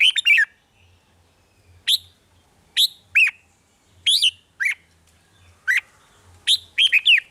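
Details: Red-whiskered bulbul, a caged bird, singing in Thailand, song played to excite caged birds; short bright chirped phrases of rising and falling notes, given in bursts roughly every second, with a faint low hum beneath.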